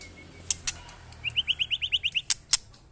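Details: White-rumped shama kept among six or seven neighbours' birds in a test of its fighting spirit; a quick series of about ten similar rising chirps, evenly spaced, with sharp clicks before and after.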